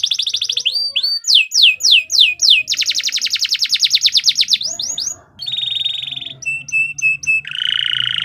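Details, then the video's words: Singing vigorously for competition, a bottle-green canary mixes a fast trill, looping slurred whistles and a long rattling trill. The song ends with steady pure whistled notes and short repeated chips. "KICAU KENARI IJO BOTOL GAJOR SIAP TEMPUR"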